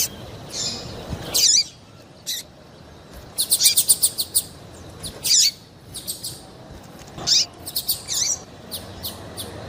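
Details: Female double-collared seedeater calls played to excite males into song for singing contests; bright high chirps in short bursts, including a quick rattle of ticks, with pauses between.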